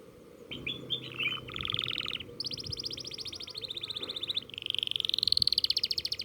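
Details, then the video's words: Canary learning to roll: scratchy stuttering notes lead into buzzy trills, then a sustained high rapid roll that rises slightly in pitch toward the end, over faint background hum. "BURUNG KENARI BELAJAR NGEROLL"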